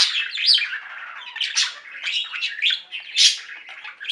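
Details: Several pet budgies singing together, an unbroken stream of buzzy warbling and sharp high chirps, with louder squeaky peaks near the start and toward the end.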